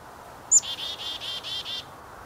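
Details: Black-capped Chickadee giving its chickadee-dee-dee call, played back from a recording: one sharp, very high introductory note, then about five harsh, buzzy 'dee' notes repeated evenly over roughly a second, with faint steady background hiss.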